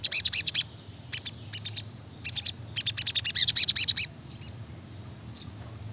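Brown-throated sunbird pouring out rapid, high, thin chirps and twitters in dense bursts, with brief pauses between runs; a faint low hum underneath.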